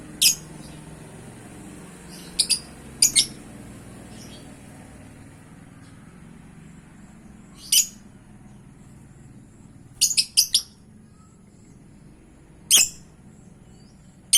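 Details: Lovebird calls used as a lure to provoke a reply: sharp, shrill high chirps, single or paired, scattered at irregular gaps of one to five seconds over a quiet low hum.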